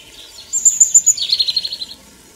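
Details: European robin in a Ukrainian forest: one song phrase that opens with a very high, thin, fast trill, then drops into a lower, rapidly pulsing trill lasting about a second.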